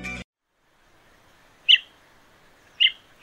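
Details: Chestnut-headed (bay-headed) bee-eater of Sri Lanka, a resident breeder of forest edges and clearings: two short, burry, rolling high notes about a second apart, after a brief snatch of music.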